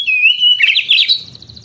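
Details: Brief burst of oriental magpie-robin song for training young canaries: a steady whistled note running into a fast, buzzy trill of chirps.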